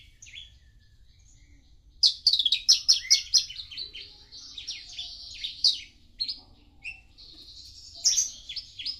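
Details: Javan bush lark: near silence at first, then three bursts of high, rapid twittering and chirping phrases with short trills, separated by quieter gaps, over a soft low hum.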